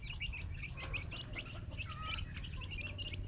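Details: Several chicks peeping happily on finding worms; a dense chorus of short high cheeps repeated rapidly throughout, with a low rumbling background.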